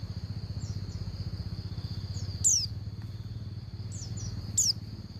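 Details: Female Oriental white-eye calling the male: two short, high, descending notes about two seconds apart, softer faint chirps between them, a steady shrill whine and a rumbling engine-like drone below.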